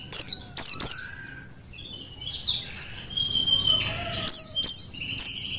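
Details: Wild-caught Merapi Dakun mountain white-eye used to teach song to other birds: two clusters of three sharp, falling high notes separated by a few seconds of faint twittering.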